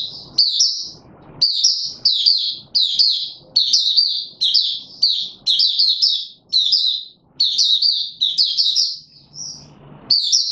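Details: Caged white-eye on form singing a steady stream of high, quick chattering warble phrases, each about half a second to a second, repeated with brief gaps and light background noise between.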